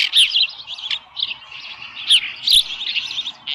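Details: Osprey at the Dunrovin Ranch nest on 13 July 2018 near 7:10 a.m., a small live fish brought in; high piercing chirps in quick bursts, strongest near the start and after two seconds, with a faint low thump.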